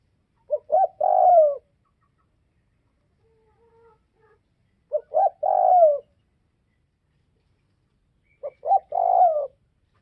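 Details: Northwest Vietnam spotted dove cooing three times, each phrase two brief hoots followed by a drawn-out descending coo, repeated roughly every four seconds against near silence.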